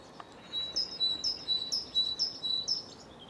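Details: Great tit in Cambridge, UK, on 24 March 2020, around 2 pm, singing a bright, ringing two-note phrase, a high note dropping to a slightly lower one, repeated about twice a second over faint background hiss.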